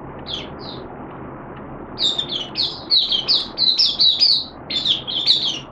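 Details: Caged Malaysian Oriental white-eye (mata puteh) in open singing display: a few high chirps, then a fast tumbling run of sharp, squeaky warbled notes that pauses and resumes, over a faint low hum.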